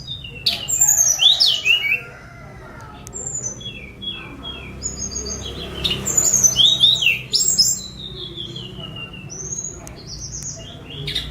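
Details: Sunda robin, a spotted bird let out to fly free, recorded by mobile phone: bursts of high thin whistles and quick sliding, falling notes, loud phrases separated by quieter gaps, a low steady hum beneath.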